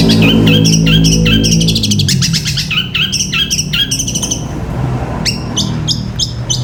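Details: Rapid, regular chirping from a Long-tailed shrike in long 'gereja petir' style song for training caged birds, nearly four notes per second, fading to scattered sharp notes, with low rumble at the start.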